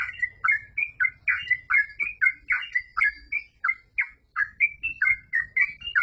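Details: Energetic 'gacor full ropel' song of a yellow-vented bulbul, a rapid string of liquid, warbled notes alternating between upward and downward slurs, roughly three each second, with soft low rumble in the background.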